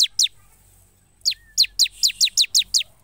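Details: High, sharply descending chip notes from a bar-winged prinia in full song: two quick notes, a short gap, then an even run of eight falling chirps at a steady pace.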